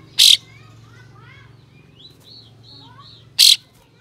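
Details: Tail-fanning kapas tembak with coarse, spicy 'besetan' shots aimed at provoking other birds of its kind. Two isolated rasping bursts frame a quieter stretch of thin rising and falling whistles from other birds.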